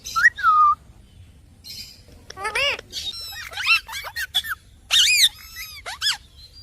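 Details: Talking Indian ringneck parrot kept as a pet, uttering a run of varied chirps and sliding whistled notes, some rising and falling in quick arcs, in a jumble that sounds speech-like.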